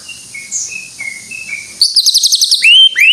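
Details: Greater green leafbird in full song: soft, thin whistles at first, then a loud, rapid burst of repeated high chirps. Two rising whistled slides follow.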